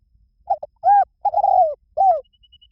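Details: Spotted dove calling: a short double coo, then a fuller coo, a long drawn coo sliding gently downward, and a final falling coo, all mellow and low. A faint thin steady tone appears near the end.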